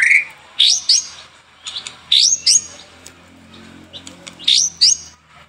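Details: White-rumped shama singing, morning and afternoon: a clear whistled opening note followed by paired bright upsweeping whistles repeated in three phrases, with faint softer notes between.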